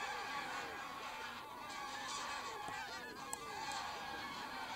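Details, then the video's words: Numerous geese at Wicken Fen, Burwell Fen, 23 September 2016 around dusk, taking off and landing; loud overlapping honks, clear arched notes recurring rapidly over a thick, noisy flock chorus. "Lots of Geese take off & land"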